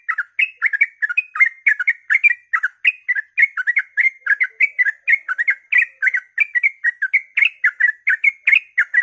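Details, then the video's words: Dawn 'ropel' song of a yellow-vented bulbul, meant to coax other bulbuls to sing: an unbroken stream of quick warbled whistles, several notes per second, bright and chattering throughout. "suara trucukan ropel pagi subuh AMPUH memancing trucuk agar ikut gacor"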